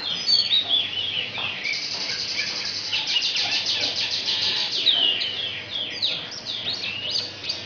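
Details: Asian pied starling singing a song filled with mimicry of magpie-robin and canary: dense bursts of rapid high chirps and trills, then sharp whistled downslurs and twittering phrases, with a constant high hiss underneath.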